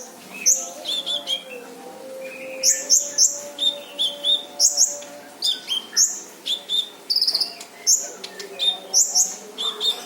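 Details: Dense training song of the brown-throated sunbird (kolibri ninja): sharp, very high chirps fired in pairs and triplets every second or so, harsh and rapid, a faint continuous hum underneath.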